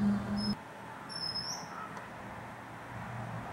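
Oriental magpie-robin giving a short, thin high whistle, then a clearer drawn-out whistle that sweeps upward; a low hum fills the opening half second.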